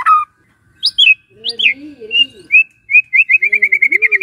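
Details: White-rumped shama song played mornings to make a silent shama sing: rich swooping whistles over lower warbled notes, then a fast run of repeated short notes accelerating into a trill.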